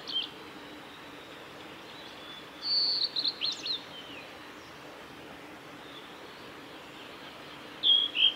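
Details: On 17 May 2020 on the Kanazawa forest road at Lake Miyagase, a male Blue-and-white flycatcher sings short, high whistled phrases with slurred and buzzy notes, spaced several seconds apart, over soft steady hiss.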